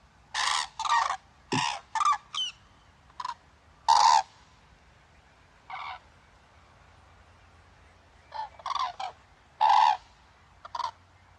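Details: Several common cranes (Grus grus) give loud, trumpeting bugled flight calls in bursts, some overlapping, with short pauses between groups of calls.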